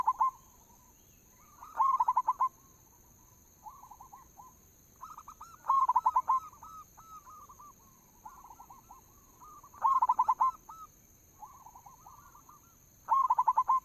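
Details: Lure song of local zebra doves: loud bursts of quick, clipped coo notes recur roughly every four seconds. Between them, several softer doves answer with rolling coo phrases over a faint steady hiss.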